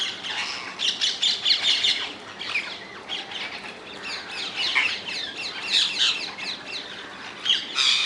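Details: Rose-ringed parakeets living wild in the Netherlands; a noisy flock screeches constantly, short harsh squawks in fast bursts, loudest at the start and end.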